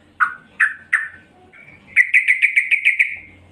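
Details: Female yellow-vented bulbul calling excitedly to draw in males: three separate sharp descending chip notes, then a quick series of about nine bright, bubbly pulsed notes in an even run.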